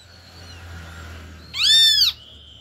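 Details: Faint thin whistled tones, then one loud, raspy, arching call of about half a second from a great kiskadee. The bird belongs to a family feeding together at a feeder set in an acerola tree.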